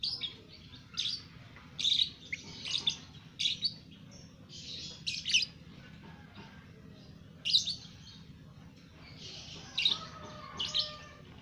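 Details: Two-month-old caged lovebird already doing its chattering ngekek song; harsh, buzzy chirps in irregular bursts around one to two seconds apart, with a faint low hum beneath.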